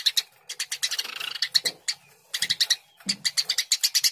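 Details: Eurasian tree sparrow calling actively in rapid bursts of dry, buzzy chirps, about five per second, in runs of a second or two separated by short pauses; faint low scratching in the background.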